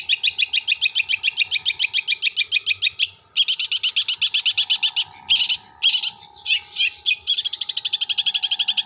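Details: Long-tailed shrike from Jember in full song, mimicking kuntilanak, sparrow and tengkek buto. It delivers long rapid trills of harsh, evenly repeated notes, about five per second, broken by short pauses and varied chattering phrases.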